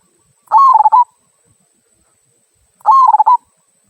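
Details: Two "kung" song phrases from a local zebra dove, a style meant to encourage other birds to sing; each phrase opens on a sustained coo and breaks into fast pulsing notes, the pair roughly two seconds apart.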